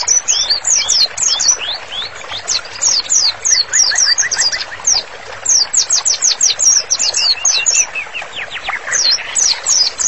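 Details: Active, vigorous white-rumped shama song offered as master material for therapy: dense stream of very high, quick downward-swept chips and whistles, with a short run of lower repeated notes partway through, steady and unbroken.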